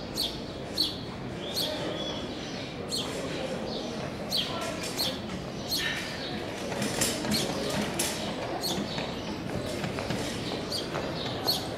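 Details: A young house sparrow being fed gives short, high, scratchy chirps in quick irregular bursts, over steady broadband background noise.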